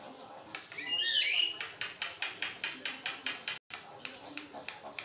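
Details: Javan myna in unbroken song, used to train and stimulate other mynas; a looping whistled phrase gives way to a run of regular clicking rasps, roughly two to three per second.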